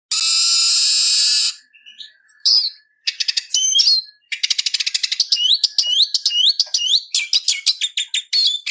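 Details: Eurasian siskin singing: a long buzzy wheeze opens, followed after a short pause by a fast, twittering run of sharp high notes and looping whistled phrases, steady and unbroken to the end.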